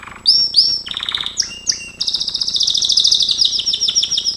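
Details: Gloster canary singing for training: a few loud downslurred whistles open into a long, rapid, rolling trill that carries on steadily to the end.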